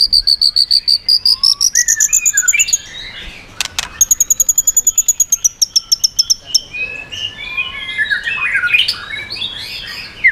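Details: White-rumped shama song to provoke rivals: a long train of rapid high whistled pips rising in pitch, a sharp click, another fast even trill of pips, then scratchy varied warbling phrases.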